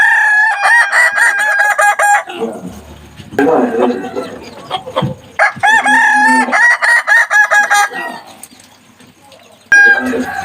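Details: Kukuak Balenggek rooster, a Minangkabau chicken breed, practising its crow: loud, choppy crowing phrases split into many short stuttering syllables, repeated in bursts with brief rough pauses, a new crow starting at the end.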